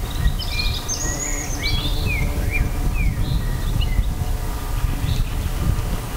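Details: Wild birds singing in a forest nature reserve in early May, with several thin whistled phrases and short falling slurs from more than one bird, over a steady loud low rumble of wind or background noise.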